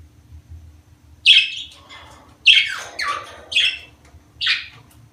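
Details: Budgerigars, sound used to stimulate mating; four or five separate squawky chirps with short warbled tails, spaced about a second apart over a faint low hum.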